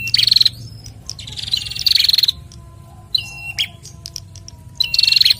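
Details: Pair of bar-winged prinias, male and female, duetting in captivity; loud rattling trills open and close the clip, with a two-tone whistled phrase in between and quieter gaps.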